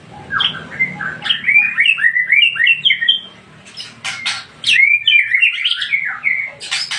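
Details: White-rumped shama of the Aceh Tangse type singing a rich, varied string of quick whistled and slurred phrases, rising and falling, with a few sharp clicks and a faint low hum underneath.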